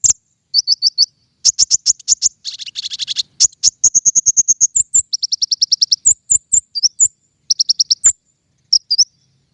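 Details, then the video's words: King konin song used as a lure for trapping birds: rapid bursts of thin, high chirps in quick trills of four to eight notes, alternating with sharp single tweets and a brief buzzy rattle, over a silent background. "PIKAT KING KONIN SUARA PANCINGAN"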